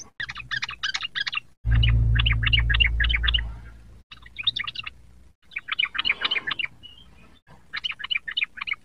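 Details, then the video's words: Young sooty-headed bulbul learning to sing, delivering repeated bursts of quick bubbly notes, about four to five per burst, while a loud low rumbling noise covers the early part. "burung trucuk muda belajar bunyi"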